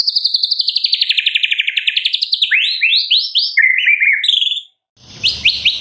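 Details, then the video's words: White-rumped shama (murai batu) from Medan in full energetic 'gacor' song with 'isian' fill-in notes, used as a lure to make another shama sing: a long run of rapid repeated notes, then brisk rising whistled phrases. "MURAI BATU MEDAN GACOR FULL ISIAN - AMPUH buat Pancingan murai batu pastol agar bunyi CEPAT NGEPLONG"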